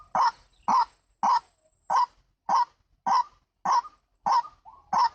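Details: White-breasted waterhen (ruak-ruak) call used to lure birds for trapping: nine hoarse, barking croaks in a steady series, each short and abrupt, spaced a little over half a second apart, with quiet gaps between.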